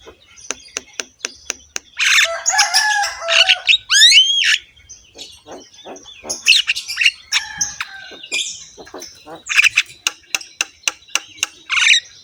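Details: Actively singing Javan myna with a harsh voice and head-bobbing, its full rich song used to train other mynas: spaced sharp clicks, dense grating squawks with upslurred whistles, then more clicks and raspy bursts.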